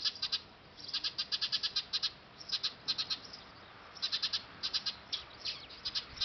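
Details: Eurasian tree sparrows at a nest on a factory roof, filmed with a D5000 camera; rapid trains of high, sharp chirps come in quick bursts of four to eight notes, separated by brief pauses.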